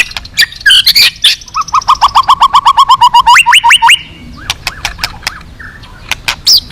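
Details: White-rumped shama singing at a song contest with a loud, rich, full song. It opens with varied whistled phrases, then runs a long series of rapid repeated sharp notes, about four per second, rising and falling, before ending with scattered sharp calls.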